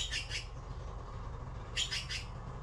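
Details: Baby blue magpies waiting to be fed by their mother give two bouts of hoarse, scratchy begging rasps, each made of about three quick bursts, with low background hum between them.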